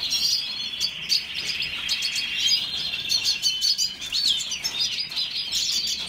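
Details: Continuous Red siskin song: high-pitched warbling twitters, quick slurred whistles and rattling buzzy phrases running back to back.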